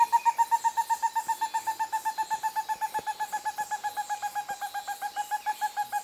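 Stresemann's bristlefront giving a long, steady series of loud, mid-pitched whistled notes, about four per second, sliding very slightly lower. Faint forest background.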